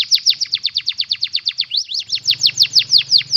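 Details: Canary singing as a lesson for a lovebird: a brisk tour of repeated downward-sweeping chirps, a brief pause with crossing notes, then slower, louder swooping notes over a low hum.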